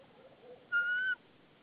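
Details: White-tailed eagle calling at the nest in Saunja, Estonia, 22 March 2013 around 14:08, during a stick delivery by its mate; a single clear, even whistled note lasting about half a second against low hiss.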